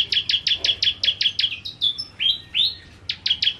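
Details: Bar-winged prinia (ciblek kristal) singing 'nembak': a fast string of high ticking notes, then several upward-slurred whistles, then the rapid ticking returns briefly.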